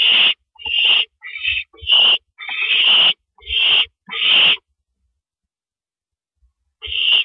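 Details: Owl at a nest during a rabbit prey delivery, recorded at 2:52 AM on April 15, 2012: harsh, hissing screeches in short bursts, seven in quick succession, then a pause and one more.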